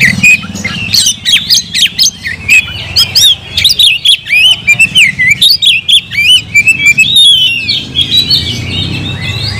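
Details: Kept oriental magpie-robin singing hard, throwing out rapid, loud whistled notes and abrupt chirps in quick succession, varied slurs sweeping up and down, with faint low background noise.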